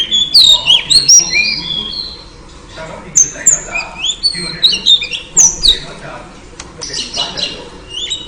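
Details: Female oriental magpie-robin calling to lure a male into singing: rapid, varied whistled and squeaky notes, some sliding up or down, given in quick bursts with short pauses, over a faint rustling background.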